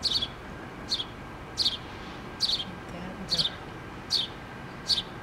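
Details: House sparrow mother and two young in a nest in a pole, filmed 8-3-2017: sharp high chirps repeated roughly every three-quarters of a second, seven in all, with faint background hum.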